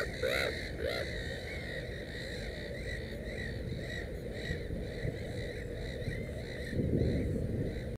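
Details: Black-headed gull at a nest with three chicks: two loud, harsh, arching cries open the recording, followed by a run of softer, rapid, repeated squeaky notes throughout, over steady low rumbling background noise.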